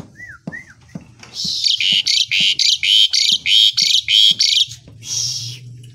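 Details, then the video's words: Pied starling in the morning: two short whistled notes, then a run of about ten loud, harsh, buzzy notes repeated rapidly, several per second, with soft low clicks between them. "PANCINGAN JALAK SUREN, PAGI HARI PENAMBAH GACOR (STARLINGS)"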